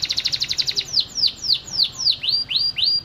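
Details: Canary long-duration master training song used to prompt young canaries and ones that have stopped singing: a rapid, high trill of about a dozen notes per second, then slower whistled sweeping notes about three per second.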